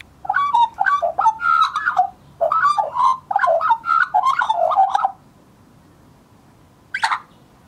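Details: Juvenile Australian magpie from 2014, scruffy-looking, warbling its heart out: a fast run of mellow, gurgling and yodelling notes for about five seconds, then silence and one short harsher note near the end.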